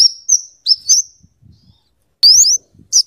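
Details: Scarlet-headed flowerpecker (kemade, cabe cabean), an active singer used for luring and tutoring. High, sharp notes rise steeply and repeat quickly, with a short pause and faint low rustles in between.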